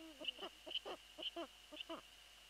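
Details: Eurasian eagle-owl at its nest site around 0:28 on 22 February 2013, female away; a short, level call opens, followed by rapid clicking pulses roughly twice per second, over a steady hiss.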